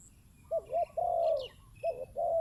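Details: Zebra dove coos in a rapid, rolling phrase: two short wavering notes, then a longer sustained warbled coo, then two more quavering notes after a brief pause. Faint chirps from other birds sound higher in the background.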